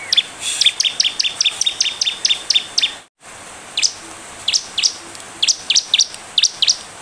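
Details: Chatty bar-winged prinia, recorded as a lure to draw quick replies: a fast, dense series of high piercing chirps, a brief dropout to silence, then sparser, louder slurred chirps resuming in irregular clusters.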